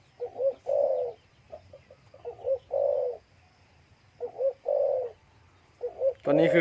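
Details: Caged breeding male spotted dove, kept near a female with chicks in the cage, gives ordinary solo crowing: low, mellow two- or three-note coo phrases every second or two, ending in a louder rough burst.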